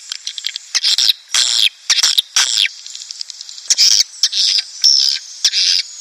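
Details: Swiftlet lure sound played to draw breeding swiftlets or colonies into a nest house: bursts of high, buzzy chirps and twitters separated by short gaps, with quick clicking notes between them.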